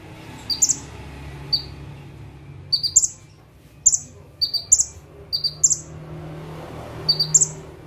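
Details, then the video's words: Bar-winged prinia singing from a fixed perch. Irregular bursts of thin high chips run into buzzy notes, with gaps of up to a second, against a quiet low hum. "KONIN GACOR FULL TEMBAKAN - CIBLEK / PRENJAK TEBU"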